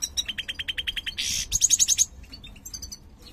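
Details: Caged mutant European goldfinch, a large 'jilguero mayor' with a closed ring, singing: rapid chattering song of fast repeated notes, a harsh buzzy burst, then high thin trilled notes, followed by brief softer twitters.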